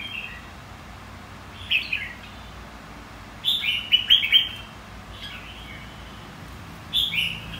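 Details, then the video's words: A red-whiskered bulbul of the white-cheeked kind sings contest song meant to provoke rivals into singing: crisp whistled notes in clusters, one busy burst of four quick phrases in the middle, then a lone phrase. "Kích chào mào hót đấu.. Kích má trắng hót.. Luyện má trắng hót đấu"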